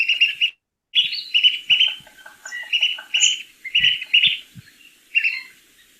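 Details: Pygmy Nuthatches, canopy birds in winter on the Mendocino Coast, give a busy chatter of high, squeaky piping notes, about one burst every second, with a few soft low knocks underneath.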